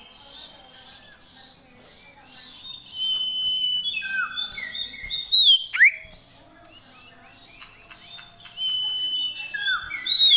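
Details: Common iora singing vigorously with sirtu-style fills, a varied string of high whistles, chirps and descending slurs, louder through the middle with a sharp swooping note near six seconds.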